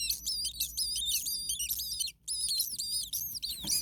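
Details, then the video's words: Hot attic nest of common starling chicks, a parent calling nearby: dense, high, raspy chirps of several birds overlap, stop for a brief silence, then resume just as busily. "Starling baby birds very hot. Day 2 Nest 2. Mama bird was close by making some noises."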